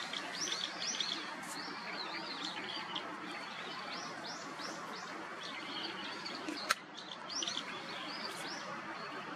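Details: Azure-winged magpie in Japan: soft, short arched call notes repeated in loose groups over a steady background hiss, with one sharp click.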